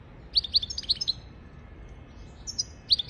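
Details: Goldfinch song meant to teach goldfinches and canaries to sing: a run of bright, bouncing high chirps, a gap of over a second, then more quick twittering notes.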